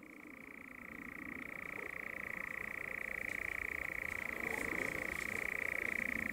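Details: A European nightjar churrs at dusk during courtship in one long, unbroken, dry mechanical trill, steady in pitch and growing slightly louder, with faint background hiss.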